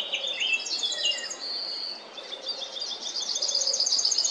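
A Yellowhammer sings a quick run of thin, high, repeated notes that ends in a drawn-out, level whistle, with other birds chirping in the background.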